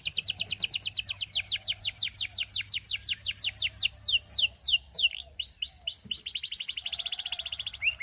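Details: Belgian canary song, sung to tempt all canaries to sing: a fast trill of falling notes slows into wider downward sweeps, then mixed chirps and a renewed rapid high roll.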